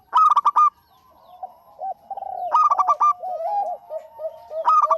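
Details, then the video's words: Eager local zebra dove song meant as a lure: loud quick bursts of clipped, ringing notes at the start, middle and end, separated by softer, lower arched cooing. "Suara Burung PERKUTUT LOKAL GACOR"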